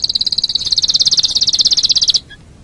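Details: Canary song recorded as a training master for other birds: one long, fast, high rattling trill of evenly repeated notes lasting about two seconds, then a brief faint note.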